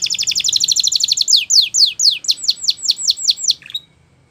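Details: Belgian canary singing as a tutor for young canaries: a fast buzzy trill of rapid notes for about a second, then a series of downward-sweeping whistled notes repeated roughly three times per second, ending in a short chirp.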